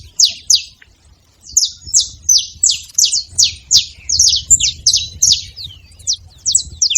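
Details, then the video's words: A gathering of saffron finches: two loud high chips, a short pause, then a fast, steady series of sharp downward-slurred notes near three per second. "Canário da terra junto fazendo barulho"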